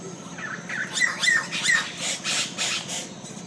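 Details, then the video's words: Yellow-rumped caciques at a colony settlement in Colombia: a burst of loud, harsh squawks mixed with short liquid whistled notes, several birds calling over one another in quick, irregular succession. "Yellow rumped cacique settlement"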